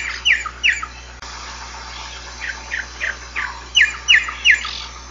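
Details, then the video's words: Giant cowbird song of sharp, downward-slurred whistled notes in short runs. A loud pair opens the phrase, softer notes follow in the middle, and a bright triplet closes it. "canto do xexéu bico de osso ( xexéu boe, irauna de bico branco.)"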